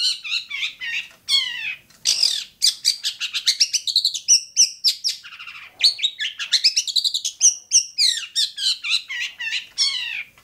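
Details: Long-tailed shrike song from Bobotsari: a long, continuous, varied warbling chatter of rapid trills and sweeping high notes with almost no pauses.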